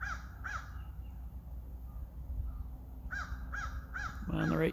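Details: A crow gives harsh, hoarse caws on a trail during a first birdwatch of 2021: two, a pause, then three more in quick succession. A man starts speaking over the end, with low background rumble.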